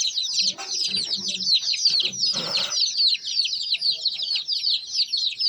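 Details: Many baby chicken chicks peeping together in a steady, high-pitched, overlapping stream of short chirps, briefly joined by a couple of lower, rougher bursts in the first half.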